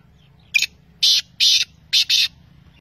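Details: Pakistani black francolin call: five scratchy, strident bursts in a set rhythm, a quick first note, two longer grating notes, then two closely spaced rasps, against a quiet low-pitched background hum.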